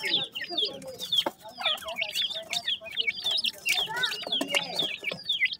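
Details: Francolin chicks calling together: a dense chorus of thin, high peeps and quick down-slurred chirps overlapping without pause, with faint lower twittering beneath.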